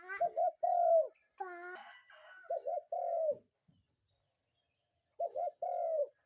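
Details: A spotted dove calls in the morning, giving low phrases of two clipped notes and then a longer drawn-out coo that dips at the end, repeated three times with a brief burst of other harmonic sound between.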